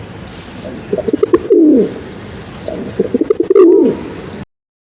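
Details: Pigeon cooing, shown as an animal sound for children: two bursts of low, throaty, rolling coos about two seconds apart, each rising to a louder, warbling end, over a steady background hiss.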